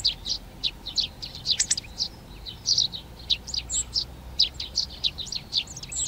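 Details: Tree sparrows moving into nest boxes in a garden in Přerov, Czech Republic, 19 March 2020, give bright, clipped chirps in uneven clusters, with other songbirds faintly audible.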